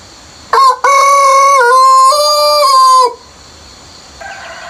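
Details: Domestic rooster in countryside before sunrise giving one long crow: a brief opening note, then a sustained harmonic call rising slightly in its middle section before dropping off, lasting about two and a half seconds; faint background hum.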